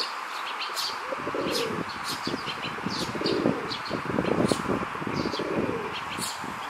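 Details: Rock dove courtship in a park: a male swelling his throat presses a female, uttering deep, burbling coos in repeated bouts of about a second, while small birds chirp sharply and steadily overhead.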